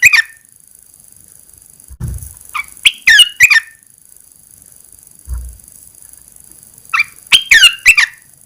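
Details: Caged red-eyed bulbul singing when its cage cover is first lifted after 14 days of cover therapy: clustered quick, liquid slurred notes in three short bursts, with brief low thumps in between.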